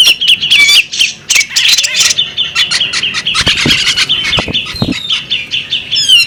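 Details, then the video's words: Female bearded magpie robin: bursts of squeaky chirps and chattering, with several low knocks in the middle and a run of rising, whistled notes at the close. "the alluring sound of a female bearded magpie robin"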